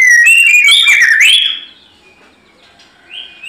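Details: White-rumped shama in fighting mood, delivering a rich tumbling phrase of whistles and sliding notes, then a long faint held whistle and a short rising note.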